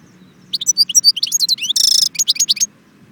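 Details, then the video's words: European goldfinch, Jbel Wahch, Constantine: a short phrase of sharp high chirps, a dense buzzy rattle in the middle, and a few more clipped twitters to finish, against a near-silent background. "chardon chant Constantine jbel wahch"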